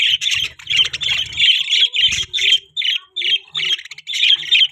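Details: Breeding budgerigars call in loud scratchy chirps, evenly spaced short bursts with a faint low hum at times.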